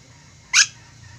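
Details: Ornate lorikeet, an Indonesian endemic parrot, giving a single short harsh shriek lasting about a tenth of a second, over a quiet low hum.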